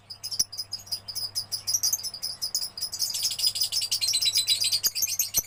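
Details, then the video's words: Young lovebird singing in gacor style, chattering nonstop: scratchy high chirps give way after three seconds to a fast, dense run of rapid buzzy notes, with a steady low hum underneath. "Love Bird Gacor anakan"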